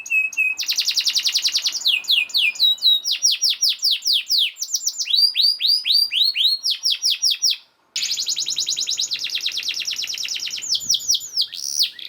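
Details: Canary singing rapidly as master song for tutoring other canaries: fast rolling trills, bursts of downslurred whistles and chips, a short break near the middle, then another rapid trill and sweeping notes.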